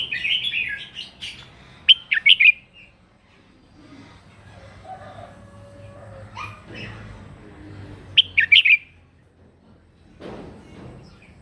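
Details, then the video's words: Red-whiskered bulbul giving a morning fighting song as voice training: two separate bursts of loud, rapid, whistled notes, with quieter murmured lower sounds and faint noise in between. "kích chào mào mũ hót đấu buổi sáng luyện giọng kích chim hót căng lửa"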